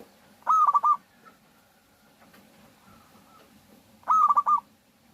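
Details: Zebra dove of a local strain, sung as a lure for other doves: two loud rippling coo phrases of quick repeated notes, roughly three and a half seconds apart, with soft distant dove calls in the gap.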